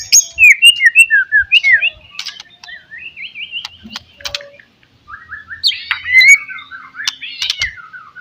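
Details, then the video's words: White-rumped shama, a lure recording meant to rouse a rival's aggression: a fast jumble of whistled, wavering notes and trills, with clicky chips mixed in, briefly quieter midway before bright slurred phrases resume. "SUARA BURUNG MURAI BATU, PANCINGAN MURAI BATU PASTOL NGOTOT MEMBANGKITKAN EMOSI LAWAN"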